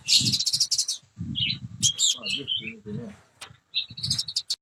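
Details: Spotted 'trotol' oriental magpie-robin in peak singing form, copying lovebird calls: bursts of fast, sharp high chirping trills separated by short gaps, with a lower warbling passage midway and a faint background rumble.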